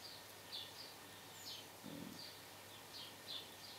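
Blue and great tits give brief, high, thin chirps scattered irregularly over a few seconds, with a soft low thud and faint background hiss.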